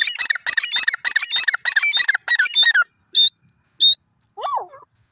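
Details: Grey francolin (teetar) calling: a rapid series of shrill, squeaky notes, about ten in under three seconds, then a few isolated high whistles and a short lower slurred note before silence.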